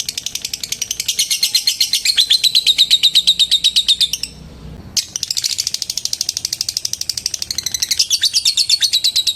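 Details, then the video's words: Lovebird's long ngekek chatter, used to call a rival: fast, grating, high pulses, a brief near-silent gap midway, then the rattling trill resumes at a similar pace. "Suara Burung LOVEBIRD Memanggil LAWAN Bikin LB Lain ikut NGETIK SAMBUNG NGEKEK. LABET NGETIK PANJANG"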